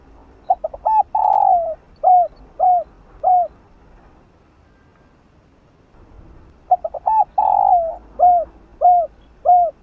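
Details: Spotted dove lure cooing in the 'chiêu 3 hậu' style, used to stimulate a caged dove into cooing: two phrases about five seconds apart, each with quick stuttered notes, a long buzzy coo, then three short downslurred coos.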